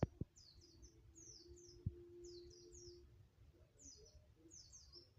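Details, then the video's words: White-eye learning song: quiet clusters of thin, high downslurred chirps in groups of two or three, spaced out across the clip, with a low droning tone and a few sharp knocks beneath. "Burung pleci ajar ngalas"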